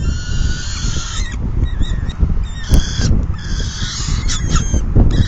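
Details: Peregrine falcon at its nest during feeding, June 2022 afternoon; a long harsh wail at the start, then scattered shorter scratchy calls and clicks, over loud low-frequency wind.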